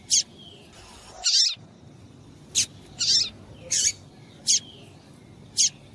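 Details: Female double-collared seedeater calling to excite the male: short, harsh, noisy chips, some brief and some longer and buzzier, repeated irregularly about every half second to second over faint background hiss.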